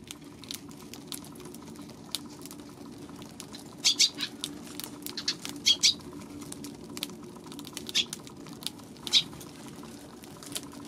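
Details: Eurasian tree sparrow giving short, sharp high chirps in scattered bursts, clustered around the middle and later part, over a steady low hum and faint background noise.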